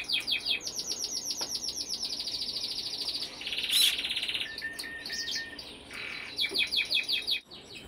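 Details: Brambling (Fringilla montifringilla) giving rapid series of short high chirping notes, about three per second, with a buzzy burst, a flat whistled tone and further quick chirps; other small birds possibly mixed in.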